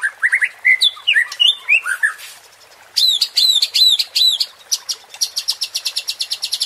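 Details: Murai batu, or white-rumped shama, song used to provoke fighting spirit: a jumble of varied whistles, a pause, then strongly repeated sharp downslurred notes and a fast buzzy trill.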